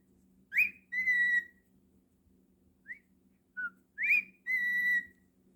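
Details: Domestic cockatiel whistling inside: two matching phrases, each a rising slurred note followed by a level sustained whistle, with small soft chirps between them over a steady background hum.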